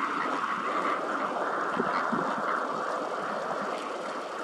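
A dense flock of greater flamingos keeps up a continuous goose-like honking and gabbling chorus, many nasal calls overlapping at a steady, busy pace.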